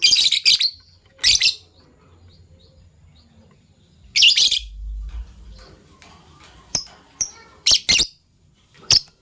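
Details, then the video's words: Morning sounds of Fischer's lovebirds, a PB Violet and a Euwing Gold Opaline: loud harsh chattering bursts separated by pauses, mixed with single sharp high chirps, with faint low thuds between. "Lovebird Chirping Sounds - PB Violet Fischer & Euwing Gold Opaline Fischer"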